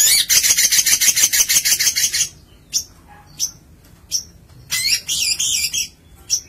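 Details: Singing long-tailed shrike, kept as a songbird, opening with a fast regular train of harsh rasping notes, then sparse thin high chips and a final burst of scratchy chatter.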